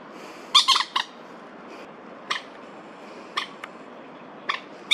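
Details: Crested goshawk in Daan Forest Park, Taipei, on 30 September 2022, where two males squabbled and one gave alarm calls: harsh, squawking notes in short bursts, a quick cluster first, then single notes every second or so, over soft background hiss.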